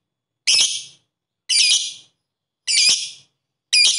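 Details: Lovebird sound used as a lure to stimulate lovebirds into 'ngetik ngekek' singing: harsh, very high, buzzy chattering bursts, four in four seconds, each about half a second long with a fading tail, separated by silence.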